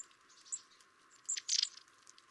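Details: One of a pair of long-tailed tits visiting winter garden feeders gives a few thin, very high, brief calls, with a short cluster of sibilant notes near the end. It is recorded from about 40 feet through a window, over a soft hiss.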